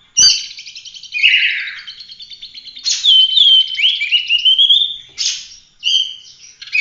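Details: Full roll tembak song of an Oriental magpie-robin, a 'gacor' masteran for training other birds: pulsing buzzy trills broken by long rising and falling whistled notes, delivered in loud bursts.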